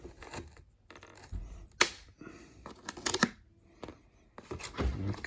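Irregular tearing, crinkling and clattering sounds in a small room, with sharp bursts and quiet gaps and no animal voices.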